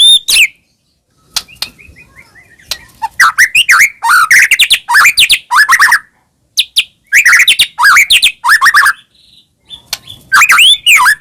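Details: Caged-bird lure recording of a Medan white-rumped shama in full song; varied loud bursts of rapid chattering, upward-swept whistles and scratchy phrases separated by short gaps, with a soft descending trill early on.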